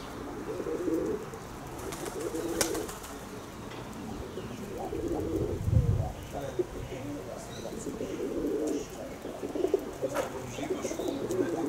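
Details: Kept pigeons cooing in repeated low, rolling bouts throughout, while a person talks and a sharp knock sounds early on.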